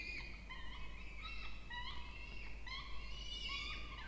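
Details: Two Peregrine falcon chicks calling in a nest box in a water tower at Charles Sturt University, Orange, New South Wales, Australia, on 20 October 2024, during feeding. Harsh, harmonic wailing calls come in quick succession, slightly rising and falling, with a steady low hum beneath.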